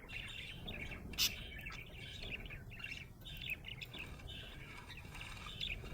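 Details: Budgerigar chirping happily: continuous soft scratchy warble with short whistled squeaks and one loud sharp click near the start, over a low background hum.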